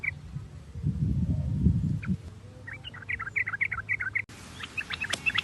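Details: Lure recording of sooty-headed bulbul song meant to stimulate singing: a deep rumble early on, then a fast burst of short, bright, bubbling notes, about four a second, ending abruptly before more chirps follow.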